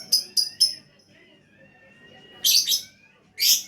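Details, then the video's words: Lovebird in gacor mode: three quick shrill chirps, a pause with a faint drawn whistle, then scratchy doubled squeaks and a final harsh burst. "Love Bird Gacor"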